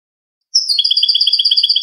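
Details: European goldfinch in clean-song style (cante limpio), recorded in 2020 for teaching captive birds: a high slurred opening note, then a rapid, even, tinkling trill of about eighteen pulses, steady to the end.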